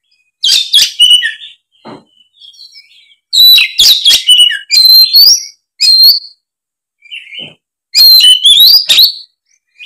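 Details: Oriental magpie-robin in fighting song: loud bursts of varied whistles, trills and harsh clicks, with quieter soft notes between phrases.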